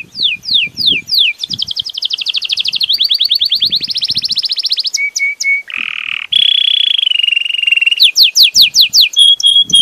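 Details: Belgian canary singing a loud, varied song: rapid repeated descending notes, fast trilled rolls, steady held whistles and a buzzy low tour, phrases changing every second or two; faint low thumps beneath.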